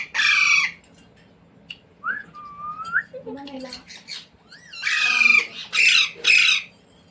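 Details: Pet Indian Ringneck parrot trained to speak words such as "mummy", "mitthu" and "roti roti"; a harsh screech, then a rising whistled note and low murmurs, ending in three loud squawks.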